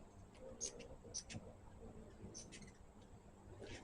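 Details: Squeaky, high chittering from hummingbirds at a feeder comes in short separated bursts, roughly every half second to second, with a faint low hum underneath.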